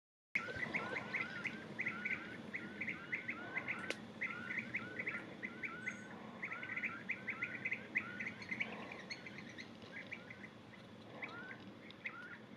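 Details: European bee-eaters on Krk, Croatia, give a steady stream of short, rolling, liquid 'prruip' calls, several birds overlapping, over a soft rustling background.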